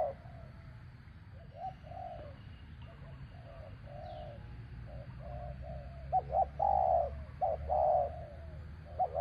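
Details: Spotted dove used in the art of luring doves, calling to coax a captive bird down. Soft mid-pitched coos murmur at first, then grow louder and clearer in quick rounded notes near the end, with low rural background rumble.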